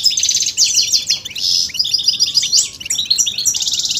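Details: A male European goldfinch, excited by mating and readiness calls, sings a high, rapid, jangling song of twittered notes, trills and brief buzzy rattles in close succession.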